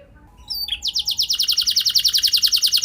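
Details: Canary song used as a training lure to get other canaries singing steadily with long rolls; after a faint opening note, a fast bright trill of evenly spaced high notes, about ten per second, runs to the end.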